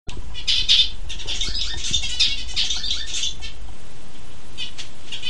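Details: A zebra finch sings an unusual song with tones that differ from its normal songs: a rapid string of nasal, buzzy notes over a low background rumble.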